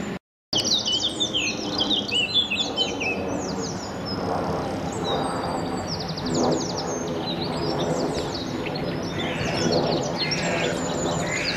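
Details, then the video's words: A male Eurasian blackcap singing his territorial song from a weeping willow in London amid a chorus of other birds: quick, high warbling phrases of chattering notes and clearer whistles over steady rushing noise. "Eurasian Blackcap Sylvia atricapilla singing his territorial song"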